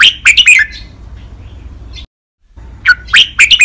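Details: A caged red-whiskered bulbul's five-syllable 'lak wai' training song: a loud rapid burst of chirpy whistled notes, trailing off, a brief silence, then the lively phrase resumes with sharp ringing syllables.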